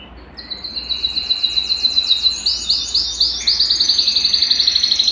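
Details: Belgian canary song played to warm up a cold canary so it sings: a fast run of repeated high chirping notes that swells into rolling trills. Each phrase is a series of rapid pulses, and the song gets louder toward the end.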